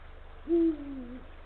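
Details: Calling to his mate from the nesting area, a male Eurasian eagle-owl gives one deep hoot, late afternoon on 17 February 2023, 16:45. Brief upward scoop, then a loud flat tone that sinks slowly and fades. Soft steady hum behind.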